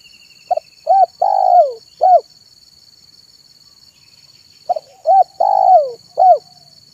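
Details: Afternoon song of a zebra dove for luring wild doves: two phrases of short coos, a long descending trilled coo and a final note, about three and a half seconds apart, with faint distant bird chirps and steady high hum.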